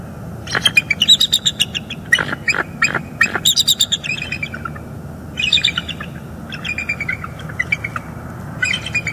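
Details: Wild bald eagle pair calling together at the nest in northeast Florida after a refused mating attempt, September morning. Bursts of fast, high, squeaky chittering notes in runs, pausing between series, steady low background hum.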